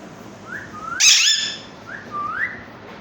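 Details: Parrot whistling: a rising, slurred whistle, then a short harsh raspy burst, then two more upswept whistled notes that climb and level off, with a quiet background.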